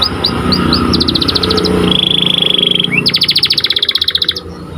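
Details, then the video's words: Singing white Panda canary used as a master recording: short upslurred chirps lead into a fast pulsed trill, a long flat whistled tone, then a rapid rattling trill of even repeated notes, with faint low hum behind. "Kicauan Burung Kenari Panda Gacor Di Satu Titik"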